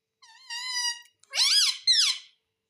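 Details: Talking pet ringneck parrot indoors gives a steady whistled tone followed by two loud bending, squawky word-like syllables, clear and close in a quiet room.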